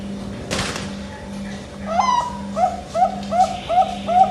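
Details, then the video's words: Bangkok-type zebra dove giving the rhythmic song sought by fanciers throughout Asia: a sharp click first, then evenly spaced soft cooing notes about every third of a second, with a persistent low hum underneath. "IRAMA PERKUTUT YANG DICARI² PARA KUNG MANIA SE ASIA"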